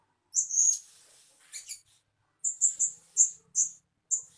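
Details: A decoy blue-crowned hanging parrot calling as a bird lure: a drawn-out shrill squeak, a short pause, then a rapid run of about six thin, high, clipped chirps at even intervals.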